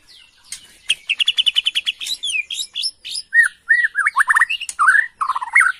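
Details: White-rumped shama of the Borneo type, agitated and answering a lure recording: a fast run of repeated clear whistled notes, then varied rising and falling whistles and twisting slurred phrases.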